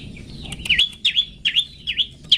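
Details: High, sharply dipping notes repeated about twice a second, from 'toet toet' long-tailed shrike song used for training pet birds, over a soft low background hum.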